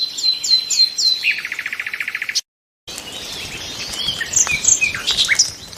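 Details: Nightingale song opens with sharp descending whistled notes, then a rapid, even series of short repeated chirps; after a brief gap, scattered high twitters and chips from several birds follow.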